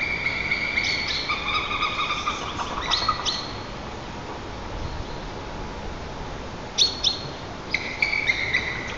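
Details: A White-tailed eagle, the male of a nesting pair, gives rapid bursts of high, thin yelping notes, a string early on, then two shorter bursts near the end, over a quiet outdoor hiss. Something alarmed him and he flew off calling toward the river. Recorded by nest camera in Lower Kama National Park, Tatarstan, 10 April 2024.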